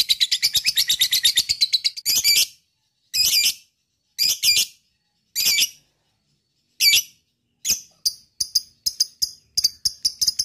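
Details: Gacor lovebird ending a fast shrill ngekek rattle, then giving loud separate harsh squawks about a second apart, followed by quick clipped chirps; meant to prompt other lovebirds to sing.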